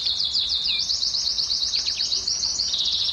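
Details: Canary singing, a song meant to stimulate females to breed: a dense, high-pitched, continuous trill of rapid upslurred notes that holds steady for the whole stretch.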